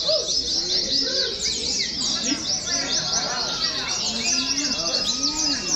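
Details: Oriental white-eyes at a simulated singing competition, pitched as training; rapid, high, overlapping twitters run continuously, with soft lower arching notes and a thin sustained whistle in places.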